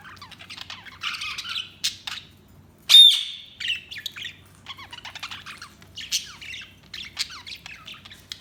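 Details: Budgie chirping and chattering in clean bursts, buzzy warbled phrases broken by sharp squawks, one loud piercing squeak at about three seconds, short pauses between runs of chatter.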